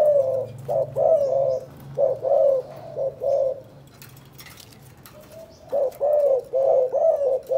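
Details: Spotted dove of Can Tho, Vietnam, calling in the 'chụp chụp ô' manner: a run of low, rounded coos in doublets and triplets, a short pause with faint low hum, then the cooing resumes.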